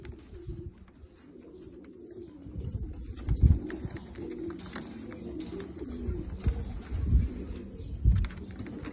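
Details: Bulgarian abssi pigeons. Deep, rumbling coos pulse in uneven bursts, with low thumps and light rustling. The sound is quieter in the higher range.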